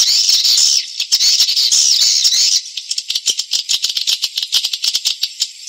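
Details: Edible-nest swiftlet lure call, played to attract swiftlets from other houses into a nesting house: high, dense chittering twitters, then rapid dry clicking pulses about three per second.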